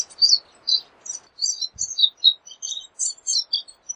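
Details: Pine siskin song made of quick high twittering notes and short chirps in a steady stream, with brief gaps between bursts and no other sounds.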